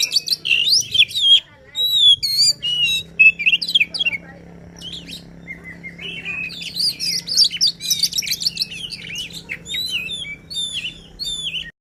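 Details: Oriental magpie-robin in lively 'gacor full emosi' song for rousing a bird that sings little: sharp twisting whistles and quick chattering notes in clustered runs, quieter stretch mid-way, then a dense rich burst, over a constant low background hum.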